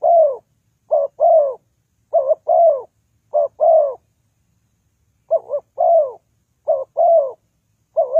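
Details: Spotted dove decoy for trapping coos over and over, each phrase a short stuttered note plus a longer falling coo, with one longer pause midway through the run of calls.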